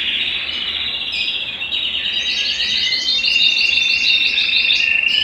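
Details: Belgian canary song for stimulating males and conditioning females to breed: a sustained rolling trill shifting into a fast series of repeated chirped notes over steady whistling.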